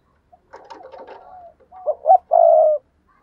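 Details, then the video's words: Spotted dove used as a lure bird, giving a low cooing phrase: a soft murmured series, then two short rising notes and a longer, louder sustained coo, indoors and clean. "tiếng chim cu gáy mồi chuẩn cực hay thúc sung"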